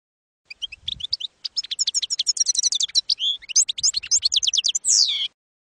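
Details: Campero-style song of a European goldfinch, meant for training juvenile goldfinches: sparse opening chirps build into fast liquid twittering, finishing with a drawn-out buzzy, descending note.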